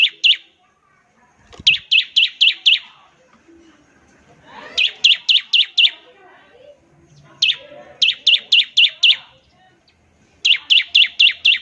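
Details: Ngebren song of a bar-winged prinia (ciblek), played to prompt other prinias to sing: repeated runs of five sharp high chirps at about four per second, with short pauses and faint rustling between runs.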